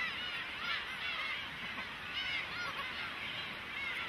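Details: Cormorant nestlings demanding food from adults, a thick wash of thin, rising-and-falling squeaks from many chicks at once, steady in loudness.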